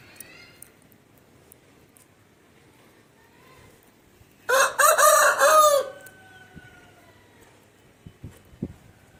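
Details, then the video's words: Aseel rooster crowing, a single loud, harsh crow of roughly one and a half seconds broken into several strained segments, with faint thin whistles before it and a few soft knocks and thumps afterward. "Aseel Roosters Crowing"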